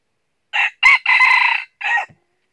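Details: Crow of a red junglefowl recorded while decoy birds lure wild junglefowl into a trap in northern Vietnam. Four quick segments, short, short, long held, short, with a sharp cutoff and no other sounds.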